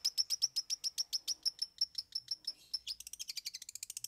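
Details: Long-tailed shrike singing a song with three fill-in songs: a fast string of clipped, high chirps that speeds up near the end into a denser, higher twittering run.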